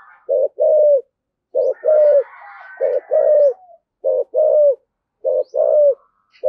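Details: Spotted dove giving the cooing style locally called 'thổ sấm' voice, with intense 'thúc gù' cooing: low, hollow coos in pairs, a short note then a longer falling one, repeated about every second; faint higher bird chatter briefly behind.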